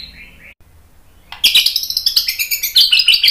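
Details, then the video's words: Shama song from a tutoring and baiting recording: faint high whistles, a quiet pause, then a sudden dense burst of harsh, high, rapid notes that rise into bright squeaky peaks. "MASTERAN MURAI BATU biar ikut EMOSI NYAUT GACOR BONGKAR MATERI TEMBAKAN ¦ PANCINGAN MURAI"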